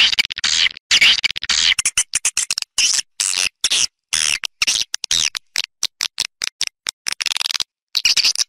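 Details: Swiftlets recorded outdoors in Malaysia, a lure track for attracting them to nest: chattering high-pitched trills broken into many rapid, irregular bursts over eight seconds, with sharp cut-offs between phrases.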